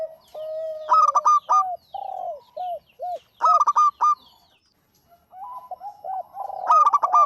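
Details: Local zebra dove singing, recorded as a prompt for other birds: clipped bursts of five or six rapid notes alternate with drawn-out arched coos, with a brief pause before a final burst.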